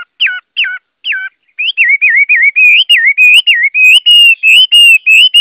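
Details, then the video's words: Chinese hwamei delivering three sharp descending whistles followed by a fast chain of rolling, wavering whistled notes repeated about three times a second, growing louder and steadier toward the end. "Tiếng Họa Mi hót | The sound of the bird Garrulax canorus"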